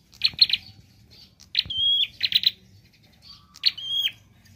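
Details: Prinia song in the 'gacor variasi nembak' style, mixing quick doubled ticks with longer high whistles. Bursts of rapid clicks alternate with drawn-out level tones over a short stretch.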